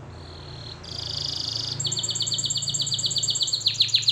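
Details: ['Singing canary in a training recording: a soft whistled start, then a loud buzzy roll, then a long, fast, evenly repeated trill that grows louder over a faint low hum.']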